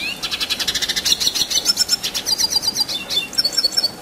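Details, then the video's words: Red siskin singing in a long, continuous rolling style used as tutor material for contest birds: a fast, high twittering run of buzzy, repeated notes and thin whistled slurs, pulsing several times a second without pause. "Red Siskin Gacor Ngerol Durasi Panjang"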